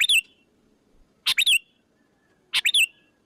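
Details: Sooty-headed bulbul lure call used to draw other bulbuls in: three bursts about 1.3 seconds apart, each a short scratchy onset followed by bright, slurred whistled notes falling in pitch, over a quiet background hum.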